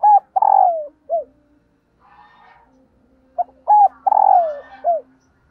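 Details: Female dove calling to excite males, repeating her cooing phrase twice about three seconds apart: short coos, a long trembling note sliding down, and a closing short coo, with faint soft sounds between phrases.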